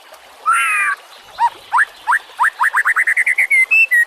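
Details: White-rumped shama song used as a master recording for training other songbirds: a harsh buzzy opening note, then a rapid accelerating series of short rising whistles ending in clear high whistled notes.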